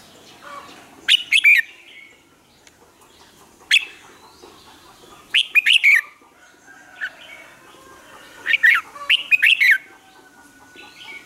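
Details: Red-whiskered bulbul, a bird trained for morning song, repeats short, jaunty warbled phrases separated by pauses of a few seconds, with occasional single chirps in between.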